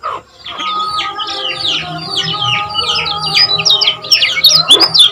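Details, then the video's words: Common iora song from Lombok, played to get other ioras singing: a rapid, continuous run of sharp, slurred chirps after a brief pause, with a steady low hum behind it. "Ampuh Untuk Pancing Bunyi Kecial Kuning Agar Cepat Gacor"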